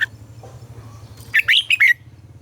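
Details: Red-whiskered bulbul kept in a cage, morning song for training birds: one quick phrase of four or five loud warbling notes over a steady low hum.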